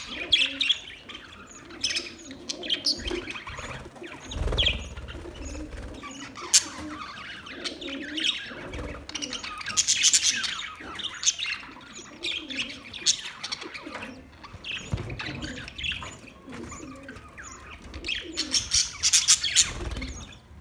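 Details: Budgerigars chatter in a busy, scratchy warble mixed with sharp chirps.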